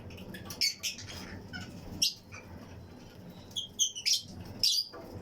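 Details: Fischer's and lutino lovebirds, a colony of pairs in a flight-cage aviary, chirping among other birds: sharp, high chirps and short clustered twitters in irregular bursts. A few louder notes sit around the middle and the end.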